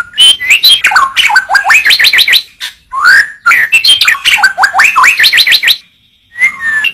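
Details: White-rumped shama in a tutor recording for training birds, singing a rapid run of loud whistled notes that sweep upward, in two bursts split by a short pause, then a brief trailing phrase.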